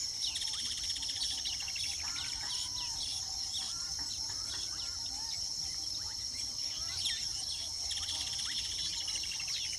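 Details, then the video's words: Weaver birds nesting: dense, scratchy chatter and sharp chirps in bursts, with a few louder downslurred calls near the end over a continuous high insect drone. "sights & sounds of weaver birds nesting"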